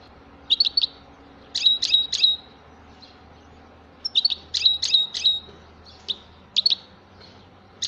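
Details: European goldfinch singing in short bursts of bright, tinkling twitters and chirps, clusters of quick notes separated by brief pauses, over a faint low hum.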